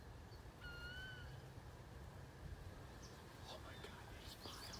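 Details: Wood ducks recorded in 2018: a single clear whistled note, slightly rising then falling, with thin overtones above it, heard once over steady low rumbling background noise and faint scattered clicks.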